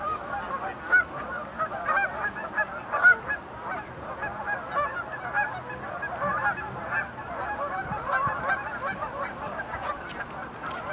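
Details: Distant-sounding chorus of sandhill cranes at the Montezuma National Wildlife Refuge Visitor Center pool in November 2021, an even wash of overlapping rolling calls with a few sharper notes.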